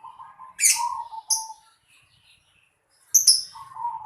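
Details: Short rolling coos of a zebra dove in a home yard, broken up by loud, sharp, high-pitched chirps from another bird that dominate the middle.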